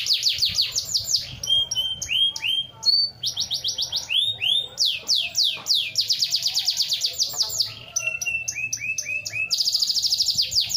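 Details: Fast, varied canary song made of crisp high whistles, swooping slurs and rapid trilled rolls, changing tour every second or so, with brief pauses and a dense, buzzy high trill near the end.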